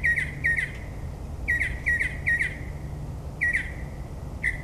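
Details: Northern mockingbird in the New Jersey suburbs at midnight, mimicking other birds with harsh doubled chirps given in pairs and triplets, separated by short gaps, over a low hum.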